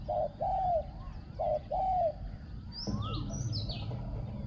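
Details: Decoy spotted dove used in ground luring, noted for a small ringing voice: two short-and-long low coo phrases, then a burst of higher chirping from other birds with background rustle.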